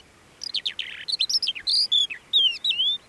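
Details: A crested lark sings near Bismil, Turkey, in 2016: a rapid, varied run of clear whistles and sliding chirps, mixing rising and falling notes with a few buzzy trills, over a quiet background.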